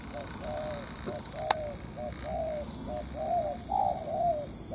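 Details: Spotted dove used as a decoy during trapping in Vietnam, calling in sunshine after long without sunbathing; a run of short, soft, low cooing notes in uneven groups, with one sharp click midway and faint rural background.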